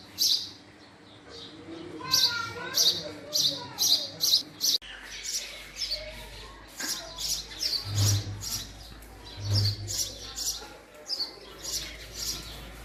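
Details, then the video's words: Male house sparrow giving a rapid run of sharp chirps, then sparser chirps after a break, over background voices, a low hum and two dull thumps. "Call Of Male House Sparrow"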